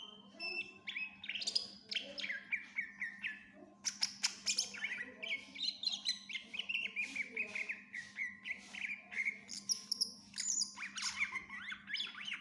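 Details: Greater green leafbird (cucak ijo) singing energetically, a full 'isian' song used as a master recording to teach other birds: dense, varied whistles, chirps and sweeping slurred notes in rapid bursts, over a steady low hum.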